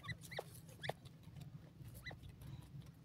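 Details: Sindhi teetar (francolin) pair frolicking in green grass, giving brief rising chirps in small clusters with pauses between them, against a constant low hum and faint rustling.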